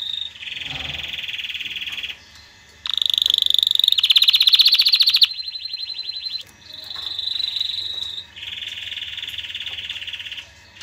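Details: Canary trilling to excite females and teach chicks: varied tours of rapid pulsed notes, one rising loud rattling section in the middle, separated by short pauses, each tour held about one to three seconds.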